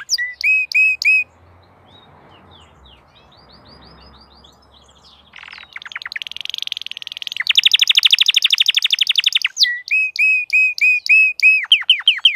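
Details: Crested canary in full song: clear repeated whistled notes, a soft quiet passage, then a dense buzzy rattle and fast high trill before returning to evenly spaced looping whistles.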